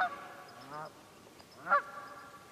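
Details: Quehanna Wild Area, Pennsylvania, 27 February 2018: wild geese give a drawn-out, wavering nasal call followed by a short gap, then one sharp, loud honk.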